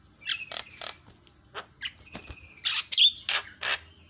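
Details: Javan myna song played as a lure to provoke other mynas into agitation: a varied run of short harsh chirps and buzzy bursts mixed with a few clear whistled notes, irregular and fairly loud.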